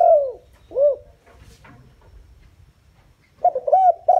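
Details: Decoy spotted dove calling to pull in wild doves: a long falling coo and a short arched note, soft clicks in a quiet pause, then the quick opening notes of the next phrase.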